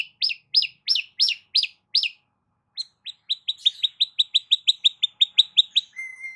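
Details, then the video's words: Long-tailed shrike song played to draw out a silent shrike. Six looping, downward-curling notes give way to a fast, even rattle of short chirps, about four per second. A steady whistle-like tone closes the sequence. "CENDET MACET COBA PANCING DENGAR KICAU"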